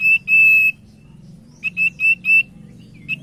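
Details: Common iora singing as a lure to prompt other ioras: a brief whistle, then a longer steady pure whistle, followed by a quick run of four or five short clipped whistled notes at a constant pitch.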